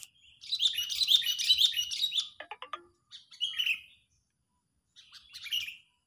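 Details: An agitated sooty-headed bulbul, recorded as a trapping lure, gives a loud, dense chatter, then a fast stuttering rattle and two shorter slurred calls after a pause.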